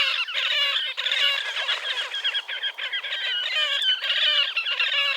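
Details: Slavonian grebe, wild, Gavieze, Latvia, May 2024: continuous harsh, nasal trilling with overlapping squeals, loud and steady throughout with only brief dips.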